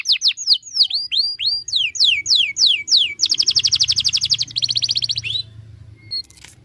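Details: Canary song used as master song for training other birds: a run of sharp, high, downward-sweeping whistles, then a fast buzzy trill and a second rapid rolled trill, ending with a few soft chips.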